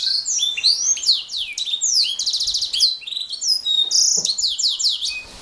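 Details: Fast canary song of bright falling whistles and rising sweeps, with a buzzy rolled trill partway through and a few sharp clicks near the end.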